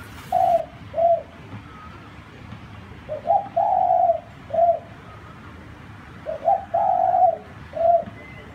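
A zebra dove gives soft, mid-pitched cooing phrases: quick stuttered notes running into a longer rolling coo, repeated about every three seconds over a low background rumble.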